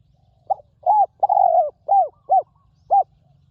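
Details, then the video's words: Resonant coos from a wild spotted dove kept for ground decoying: a short note, then a long wavering coo and several brief arched hoots spaced about half a second apart, with a low steady hum underneath. "นกเขาใหญ่ต่อดิน [เจ้าสามส้มหยุด] EP11 นกป่าคารมเสียงดี กังวานมาก"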